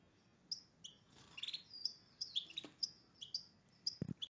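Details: European goldfinch in breeding condition, paired with a red agate canary, sings bright, high twittering notes in quick bursts, with a brief thump near the end.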